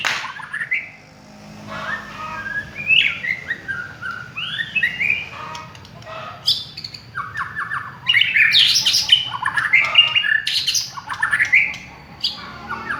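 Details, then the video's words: White-rumped shama of the village type, singing as a lure. Mixed clear whistles, harsh squawky notes and rapid chattering runs, with a quiet pause near the start before a dense, louder burst later. "Pancingan suara burung murai batu kampung"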